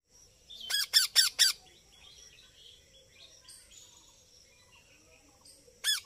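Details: Baby parrot giving a quick run of four harsh, rasping squawks, then a quiet stretch with faint high chirps, ending with one more loud squawk.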